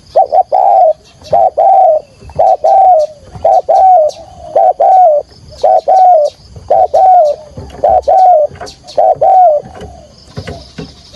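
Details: Decoy spotted dove giving the 'thúc gù' coo sequence in a field voice to lure wild birds for trapping: steady series of soft low double coos, each a brief note followed by a drawn-out slightly falling one, evenly paced.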